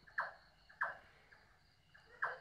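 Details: Nightjar, the night bird known in Bengali as রাতচরা, calling at night from a rooftop with a 'ta ta ta' sound: three short, harsh, clipped notes spaced irregularly over about two seconds, over faint background hiss.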